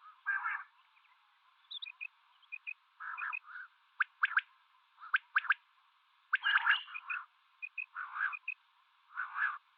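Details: Common quail calling, female and male: short, liquid triple notes repeated in quick groups, mixed with low purring bursts and sharp clicks, thin and narrow in tone.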